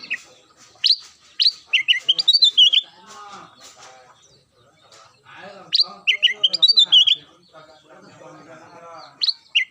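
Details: Daily singing of a lively kutilang emas (black-crested bulbul): three bursts of bright, bouncing whistled notes, each a few seconds apart, with soft warbling and low murmuring in the gaps.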